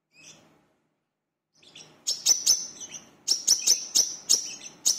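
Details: Lure song of a brown-throated sunbird (wiceh or manggar), chattering style: faint scattered notes, a brief silence, then bright high chirps returning in quick clusters of two and three.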